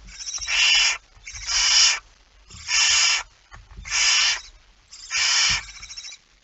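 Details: Barn owl hissing at the nest while K5 feeds, 05:28 on 19 September 2019: five broad, wheezy hisses repeated roughly once a second, with soft thumps and shuffling underneath.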